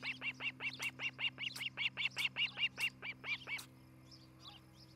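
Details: Osprey of a nesting pair in Charlo, Montana, picked up by a nest cam on 11 July 2018 in the morning; rapid piercing chirps, roughly fifteen in quick even succession, then they stop and faint background sounds remain.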